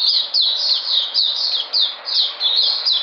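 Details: Energetic white-eye, 13 February 2020, pouring out high, sweet down-slurred notes about three per second, linked into a rolling, slightly buzzy warble.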